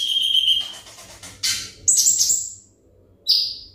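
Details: Caged olive-backed sunbird of the ringgit type giving a sustained high whistle, then a rough burst and short sliding squeaky notes with pauses, over a faint background hiss.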